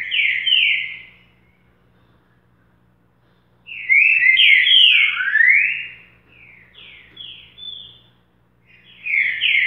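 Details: Green-winged saltator singing in the boca mole style: loud, clear whistled phrases of slurred, falling notes, a short phrase, a pause, then a longer run of overlapping whistles ending in a fresh phrase.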